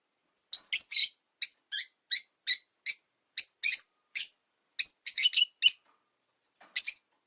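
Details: Steady series of short, shrill, high-pitched chirps from caged rosy-faced lovebirds near a window in winter, roughly two to three calls a second, some doubled, ending in a pause and a final squeak.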